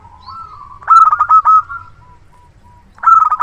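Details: Loud-voiced local zebra dove used as a luring decoy gives a quick rippling run of pulsed coos, then a soft pause with faint single notes, then another loud rolling burst at the end.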